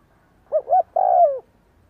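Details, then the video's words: One cooing phrase of a spotted dove, heard throughout the day to train decoy birds: paired short hoots, then a long, smooth note that falls away at the end. "chim cu gáy kích bổi gáy cả ngày /tiếng chim cu đất gáy kích bổi tập mồi hiệu quả"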